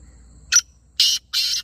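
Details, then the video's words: A black francolin gives three loud, harsh, grating notes: a brief clipped opener, then two longer rasping syllables in quick succession. "Black Francolin Voice"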